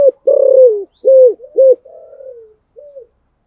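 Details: Thổ Sấm-voiced coaxing coo of a spotted dove, used to push a newly caught bird to sing: a long, throbbing low coo, two clipped hoots, then a softer descending purr and a final faint note.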